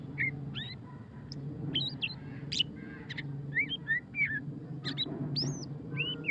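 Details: White-rumped shama, locally murai batu pastol, singing ngeriwik: varied loud whistles, upward and downward slurs and sharp clicks in irregular succession, with a continuous low hum behind.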